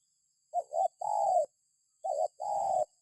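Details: Spotted dove lure call: a soft broken double coo leading into a long even coo, given twice in quick succession.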